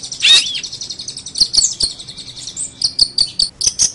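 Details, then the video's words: Long-tailed shrike song as a training recording: a loud swooping slurred note opens, followed by quieter high twittering and a run of sharp, evenly spaced chip notes. "Masteran Terbaik Pentet / Cendet"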